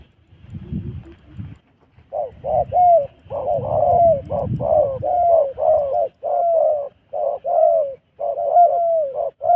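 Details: Wild dove cooing in Cambodia. After about two seconds of low rumbling background noise, it gives a steady run of mellow, mid-pitched coos in quick bursts, each slightly bent in pitch.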